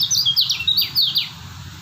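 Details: Kecial kuning white-eye from Lombok, described as a steady singer, delivering a fast run of high, thin, downslurred whistled notes that tumble one after another, with a faint low hum underneath.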